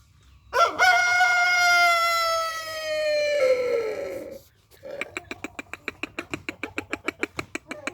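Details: Rooster out in the morning sun, kept active to restore its condition, gives one long crow of about four seconds that slowly slides downward at the end, followed by a fast, regular series of sharp clicking pulses.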